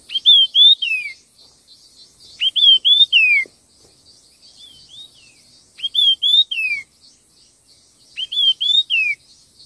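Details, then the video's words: Red-tailed minla singing in a contest, fast and fiery: clear whistled phrases of three or four rising-falling notes ending in a slurred downward note, repeated about every two and a half seconds, with faint high twittering between. "Tiếng chim khướu lùn đuôi đỏ hót đấu kích nhanh căng lửa"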